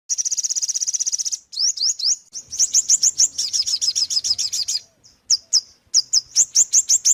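An ornate sunbird sings a fast, high, buzzy trill, then a run of sharp, down-slurred chips that stop and start in brisk bursts.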